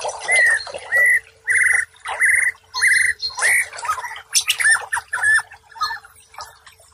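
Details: White-rumped shama, a training recording for stressed birds that have stopped singing: a series of clear, steady mid-pitched whistles, then harsher, squawky and buzzy notes, all over a constant low hum.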